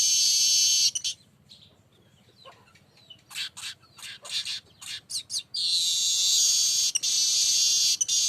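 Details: Baya weaver singing on a lure recording: a sustained hissing wheeze, a quiet gap, then a run of sharp clicking and ticking notes that speed up before another long, loud buzzy wheeze.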